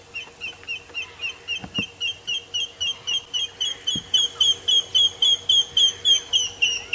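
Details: A grey hornbill calls in the sun during a 7:30 AM sunrise safari drive in a South African game reserve on 4 May 2017, giving a long run of plaintive, high whistled notes, about four a second, steady and slightly building.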